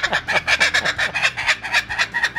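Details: Taco, a zoo Laughing Kookaburra, gives the raucous cackling laugh used to hold territory: rapid, harsh, chuckling notes tumbling out several times a second in a steady stream.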